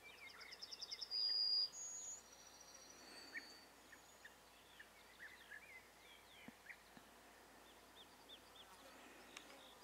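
European bee-eater: a quick run of high, rolling notes, then a couple of bright, clipped calls. Fainter chirps from other birds follow against a soft background hiss.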